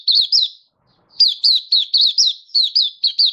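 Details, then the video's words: Malaysian white-eye in song in Singapore, warm sunny weather, 20 March 2023. Two quick high slurred notes, a half-second silence, then a steady run of about ten sharp, whistled, down-swooping notes. "Malaysian Mata Puteh Happy Buka Sing"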